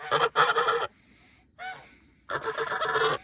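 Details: Farm goose honking repeatedly at close range beside its empty pool, with loud harsh nasal honks in two bursts separated by a quieter softer call, over faint background noise.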